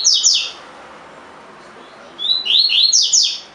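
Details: A caged Double-collared Seedeater sings its 'tui tui' song for training: bright, high, fast-slurred whistles, a short burst, a pause of almost two seconds, then a longer run of quick sweeping notes.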